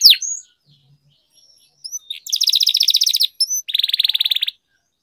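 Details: Singing canary used as a training tutor, long rolling style: a sharp downward sweep and thin whistled notes, a pause, then two fast buzzy trilled rolls of rapid even pulses, each lasting about a second.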